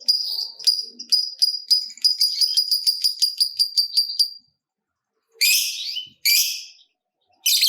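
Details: Lovebird in a long trilling bout meant to stimulate other lovebirds: rapid high chirps repeated several times a second for over four seconds, followed by silence and three harsh, scratchy bursts.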